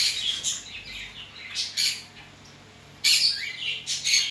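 A zebra finch sings harsh, buzzy, nasal notes in quick bursts, high-pitched and scratchy.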